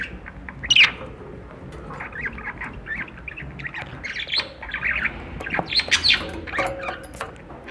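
Budgerigars chatter in busy bursts of scratchy squawks, warbles and short chirps, with a sharp squawk near the start and denser chatter later.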